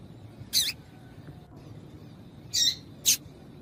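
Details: Female Yellow-bellied Seedeater calling, a sound breeders use to warm up males for singing tournaments: one high chirp, a two-second pause, then two quick harsh chirps close together, over quiet hiss.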